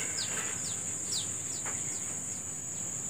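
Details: Morning birdsong: a run of quick, thin chirps, each sliding downward, comes roughly three per second over a constant shrill insect hum.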